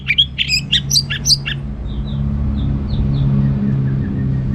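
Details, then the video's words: Caged orange-headed thrush from northern Bali giving a rapid run of loud, sharp high chirps in the first second and a half, then only faint thin notes over steady low hum. "Anis Merah Ngeplong Gacor"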